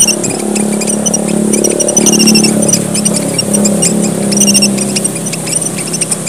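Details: Red munia from Papua, Indonesia, described as one of the region's smallest birds, giving a lure call: thin, very high, clipped chirps in quick irregular bursts, about four per second, over a loud steady low droning hum.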